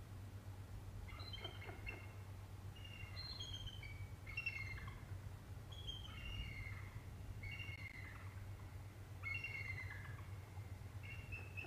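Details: Repeated bald eagle calls during a chase with a sub-adult at the Decorah North Nest, December 8, 2017 around 2:21 pm: a string of thin, downslurred piping phrases, roughly one every second or two, over a low hum.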